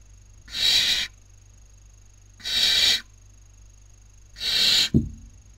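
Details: Nestling Barn owls on a webcam in Cabañeros National Park, Spain, 2019, competing for dinner. Three rasping hisses come about two seconds apart, and a sharp knock follows the last one, over a faint steady whine.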